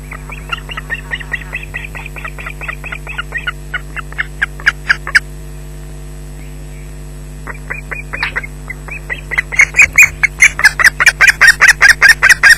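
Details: At Loch Garten on 19 June 2012, an osprey and its chick shriek at an intruder near the nest; uneven scattered shrill notes, a brief lull, then a loud insistent series of piercing repeated shrieks over a low steady hum.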